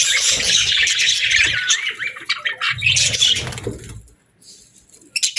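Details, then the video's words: Pet budgerigars give rapid high chirps and rising squeaky notes in a lively burst that fades to near quiet, then ends with a few last sharp chirps. "Budgie Chirps & Sounds"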